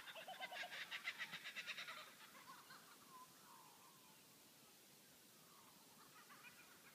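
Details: Laughing kookaburras at sunrise at Walpole, Western Australia, giving a loud, rapid cackle of about a dozen harsh pulses in two seconds, then softer, trailing chuckles.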